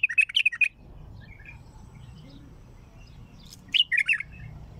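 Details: Bulbul with a heavy throat, recorded raw: a rapid phrase of bright warbled notes at the start, a quiet gap with low hum, then a second loud chattering phrase.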